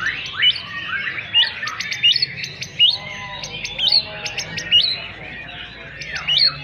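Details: White-rumped shama song, a busy stream of rapid chirps and short upward whistles with sharp ticking notes, peaks recurring roughly every second, over low background noise.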